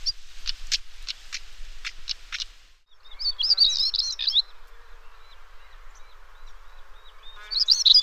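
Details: Stonechat in Parque da Devesa, Vila Nova de Famalicão, Portugal, giving about seven quick hard ticking notes, then a brief pause and a short scratchy twittering warble, with another chirpy burst at the end.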